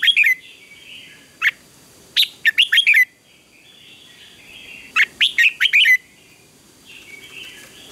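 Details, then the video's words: Red-whiskered bulbul singing in a morning contest, repeated bursts of rapid, ringing whistled notes with falling slurs, about every three seconds, while other birds call softly in the background. "Chào Mào Hót Đấu Sáng"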